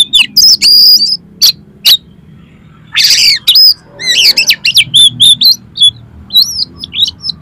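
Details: Oriental magpie-robin in vigorous mimicry song used to provoke contest magpie-robins: loud whistled notes and sharp clicks, a harsh noisy burst, then rapid upslurred chirps and twisting whistled phrases.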